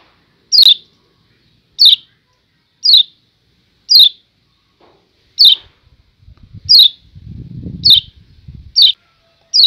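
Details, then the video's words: 'Ciak ciak' call of a Lombok yellow white-eye: a steady run of piercing, downslurred high chirps about once a second. Low rumbling noise sounds through the second half. "Ciak Ciak Kecial Kuning"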